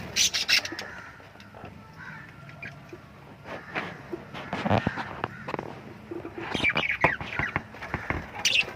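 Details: Lovebirds chirping: bursts of short, sharp, high chirps and squeaky notes, clustered near the start and again in the last seconds, with quieter scattered tweets in between over a faint low background hum.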